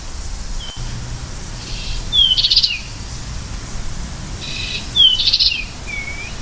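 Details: An American goldfinch gives two brief twittering bursts of high, slurred and buzzy notes about three seconds apart, over a steady faint outdoor hiss.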